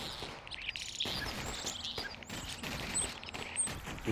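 European starlings chatter in a busy mix of clicks, rasps and brief high whistles over a steady background hiss.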